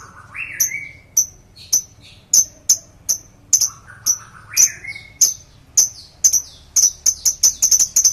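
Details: Lovebird giving a long ngekek trill used as a lure: rapid, high, sharp chirps repeated ever faster toward the end, mixed with a few lower slurred whistles early on.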